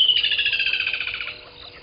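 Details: Woodland kingfisher singing in the morning at 05:29 at the Gowrie dam waterhole, Djuma Game Reserve, Sabi Sand, South Africa, 18 December 2020: a sharp high opening note, then a loud, rapid, slightly descending trill lasting over a second before fading.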